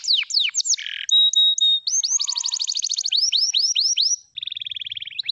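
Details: F2YS canary singing a long, varied song: swooping whistled notes, a buzzy low burst, a steady flat tone, then rapid rising rolls repeated in quick series and a fast, even trill.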